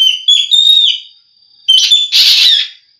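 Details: Green magpie calling with piercing whistled notes that waver and rise, then a brief pause before a harsh, noisy burst of grating notes, a faint steady high tone in the background.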